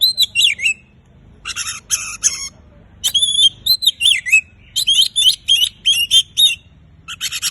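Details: Oriental magpie-robin 'gacor' singing to make silent birds start: rich whistled phrases with up-and-down swoops, interleaved with harsh buzzy bursts, repeated at a lively pace of roughly four per second.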